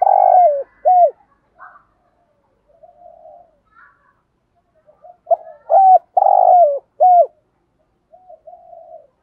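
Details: A spotted dove performs the cooing style called "thúc gù". It gives deep, hollow coo notes in short phrases: a long note followed by a clipped one, repeated after a pause. Soft low murmurs fall between the phrases, in an otherwise quiet setting.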